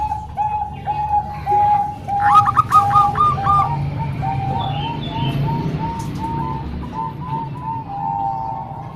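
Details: Zebra doves, three Bangkok type plus one local, combined to train young birds. A short, high, stuttering trill of coos rises over a steady stream of soft, evenly spaced mellow notes that continue to the end.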